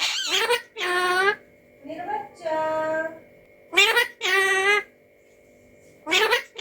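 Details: Alexandrine parakeet talking indoors, producing speech-like phrases with voiced, harmonic syllables in short bursts separated by pauses, some parts rising and falling in pitch like human words.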